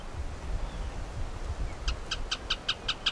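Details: Rufous hornero in Lomas de Arena Park, Santa Cruz, Bolivia: after a quiet start, a rapid series of sharp, clipped notes, about seven in just over a second, over steady low wind rumble.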